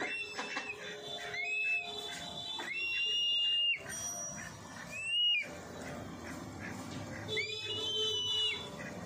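Black kite giving thin, quavering whistled calls that slur and waver, repeated several times over a few seconds, with a faint steady tonal hum underneath.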